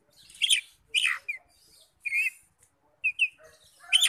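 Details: Oriental magpie-robin song played to provoke other magpie-robins to sing: rasping bursts alternating with short whistled notes and a brief warbled phrase, spaced about a second apart.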